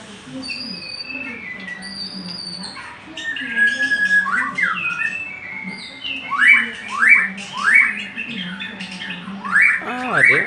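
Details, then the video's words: Murai songbird singing prolifically: varied clear whistled phrases and warbles, then a run of loud, sharply rising whistled sweeps repeated about every half second to one second, over a low steady tonal background. "burung murai ngacor dahsat"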